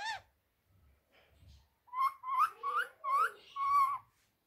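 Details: Pet rose-ringed parakeet talking, a phrase said to be "Miyan Mitthu Churri Khani Hai": after a brief squawk and near silence, five clear voice-like syllables follow in quick succession, tonal and slightly wavering, in a quiet room.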